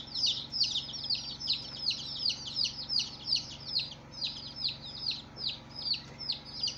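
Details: First-day baby chicks calling in a group: bright, piercing cheep notes, each falling quickly in pitch, repeated about two to three per second in a busy overlapping chorus, with a soft steady hum behind.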